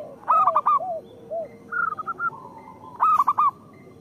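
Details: Local zebra dove song, meant to lure and train other doves: quick groups of three or four arched, bouncing coos, lower drawn-out notes, and a softer stuttering series, with more than one bird calling.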